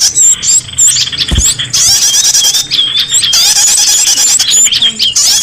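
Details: Small birds chirping as a lure for bringing back birds that have flown off: overlapping high, wavering whistles and fast twitters, broken by one short break and a low thump.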